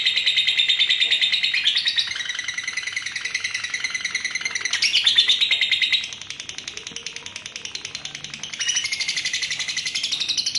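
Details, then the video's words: Female lovebird delivering a long, unbroken ngekek trill, said to run two minutes in one pull: a shrill, rapid, buzzy chatter held steadily, with slight shifts in pitch and loudness every few seconds and no pauses. "LOVE BIRD BETINA KONSLET NGEKEK PANJANG, SATU KALI NARIK 2 MENIT"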